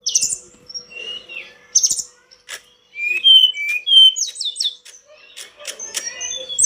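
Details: Sunda robin in lively full song, a varied string of high whistled phrases, rising sweeps and quick descending slurs with short pauses between figures, some notes clipped and sharp.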